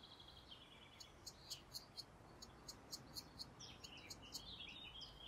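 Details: European green woodpecker nestlings in an urban nest in Brussels, spring 2020, begging impatiently for food from parents: a rapid run of thin, high chirps several times a second over a buzzy, hissing undertone; faint background hiss.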